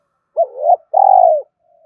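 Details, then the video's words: Part of a spotted dove phrase, used to spur a decoy into cooing: a wavering coo followed by a long, steady, slightly buzzy coo that fades downward. "tiếng cu gáy Thúc Gáy gọi, cu gay kich boi nhanh noi gù"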